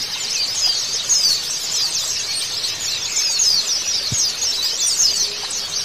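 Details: Recording of white-eyes for coaxing a silent bird into song: continuous thin, high twitters and rapid trills from several birds at once, plus a brief low knock near the end.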